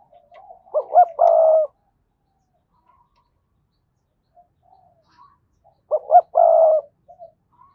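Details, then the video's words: Spotted dove used as a decoy to make other doves coo: two similar phrases about five seconds apart, each with quick coos leading into a long buzzy note. Soft distant coos and faint chirps sound between them. "Tiếng chim cu gáy thúc bổi, mở lên nhá bổi gáy liền, giọng may bổi"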